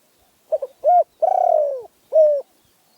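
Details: Spotted dove from Phrae, Thailand, cooing: a soft stuttered double note, a short held coo, then a long pulsed coo that slides downward, ending on a steady closing coo. No other sounds intrude.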